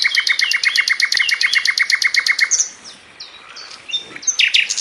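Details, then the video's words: Sikatan londo flycatcher tutor song, used to train cage birds: a fast, loud train of about twenty sharp, evenly spaced, high chipping notes over two and a half seconds, then quieter scattered whistles and slurred high notes. "MASTERAN BURUNG SIKATAN LONDO‼️GACOR SPIT RAPET"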